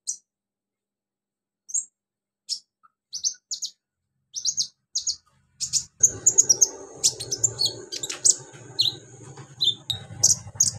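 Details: Bulbul singing imitations of crickets, golden grasshoppers and chicks: spaced high chirps and short trills at first, then a dense, rapid stream of varied twittering over a low rumbling background.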